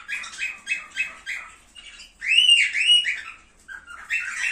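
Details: Cockatiels kept for breeding, heard as a mating stimulus; a series of short evenly spaced chirps followed by arched whistled notes, then more quick chirping.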